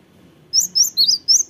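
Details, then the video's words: Cinereous tit singing: four quick high whistled notes, each a short sliding pair, in a crisp burst against quiet background. "sekali putar langsung nyaut gacor. gelatik batu"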